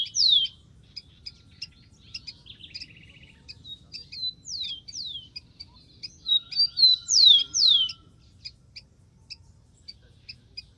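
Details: Wild rufous-collared sparrow singing: high slurred whistles sweeping downward, separated by soft high ticks and a short buzzy trill, repeated over about eleven seconds with steady low background rumble.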